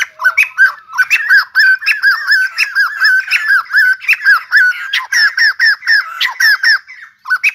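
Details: White-crested laughingthrush singing while dancing: a steady string of short, slurred, squawky notes repeated over a second per beat, building into a fast rhythmic chatter toward the end.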